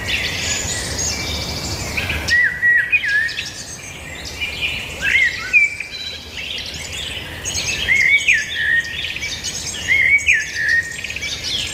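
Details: Birdsong fills the air, with repeated clear whistled phrases recurring every few seconds among busy chirping and twittering from other birds, over a low steady hum.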